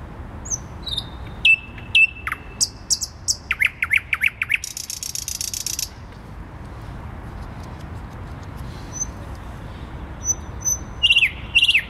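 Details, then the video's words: Thrush nightingale singing in central Warsaw, Poland, on 12 May 2020: clear whistled notes, sharp down-slurred notes repeated in quick series, then a dry buzzy rattle, a pause with faint high whistles, and the phrase starting again. "Słowik Rdzawy śpiewa w centrum Warszawy"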